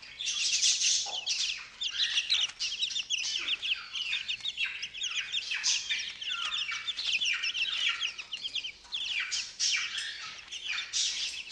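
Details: Young chickens, fourteen days old, let out of their brooder in the morning and eating mealworms: a dense, continuous chorus of many high, rapid peeping and cheeping notes with no pauses.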